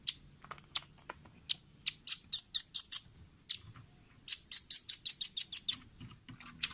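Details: Training recording of a velvet-fronted nuthatch for caged birds: isolated high ticks building into two rapid trilled series of piercing chit notes, the second run about ten notes long, in a quiet background.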